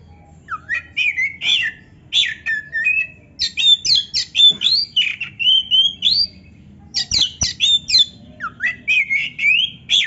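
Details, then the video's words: Kacer song meant to rouse caged Oriental magpie-robins by hearing a rival: short bursts of buzzy chips and twisting whistled phrases, repeated in groups with brief gaps between. "TERAPI KACER GACOR DONGKRAK BIRAHI DAN EMOSI BUAT KACER MALAS BUNYI"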